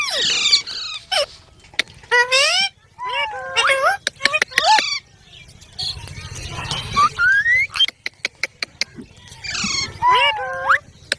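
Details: Young green parrot chirping in short, wavering harmonic calls and a few rising whistles, with clicking sounds between bursts and a faint low hum underneath.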